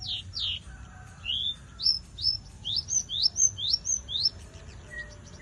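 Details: Energetic song of a Javan bush lark: two high falling notes, a pause, then an accelerating series of about nine clear slurred whistles, ending in a soft lower note.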